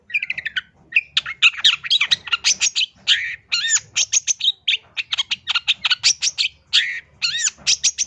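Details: Long-tailed shrike in full, varied song for luring or training birds: a dense, nonstop torrent of sharp chirps, rasps and looping whistles.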